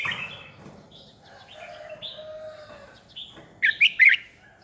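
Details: Red-whiskered bulbul used as a training decoy for song contests; soft warbling early, a sustained low tone in the middle, then three loud sharp chirped notes in quick succession near the end.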